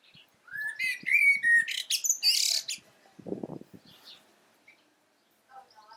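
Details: Common blackbird calling with a short warbled phrase of rising whistles that breaks into a loud, high, scratchy twitter, then a brief low rustling noise and near silence.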